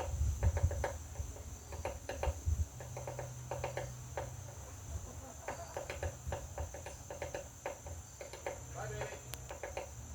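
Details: A woodpecker hammers on a butterfly house with irregular clusters of dry wooden taps throughout, some rapid and doubled, over a low background rumble and a constant thin high whine.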